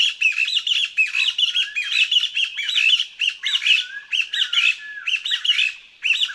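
Taiwan Partridge: high, squeaky, rising notes in quick, pulsing runs, repeated without pause like a squeezed rubber toy, with no other sounds.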